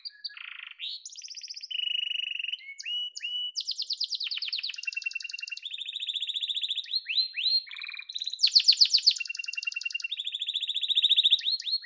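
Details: Yellow canary singing a continuous song of rapid trilled tours at different pitches, opening with a low sweeping phrase, then flat buzzy rolls, quick rattles and a loud rapid chopping section near the end.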